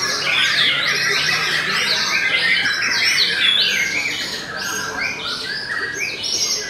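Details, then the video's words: Steady song from a Belanda-type white-rumped shama: loud repeated sweeping whistles and rasping bursts, roughly two to three phrases a second, strongest early and slightly softer toward the end. "TOP CERR🔥 Murai Batu BELANDA Memang TOP - Masih Stabil"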